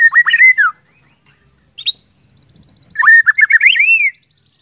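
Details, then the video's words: White-rumped shama song used to prompt other shamas to sing: two bursts of rapid, loud whistled notes with bending pitch, separated by a short quiet pause with a brief high note. "pancingan murai batu agar cepat gacor ngeplong"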